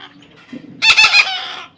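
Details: Short, rasping outburst of about three fast, gritty notes from a baby parrot being tamed, with faint low murmur before it.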